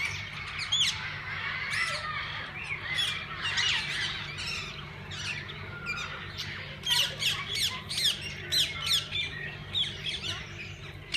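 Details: Parakeets of several kinds in a parrot zoo's walk-in aviary: a long stretch of constant, shrill twittering and squawking from a crowd of birds, louder spikes of calls recurring toward the end over faint low hum.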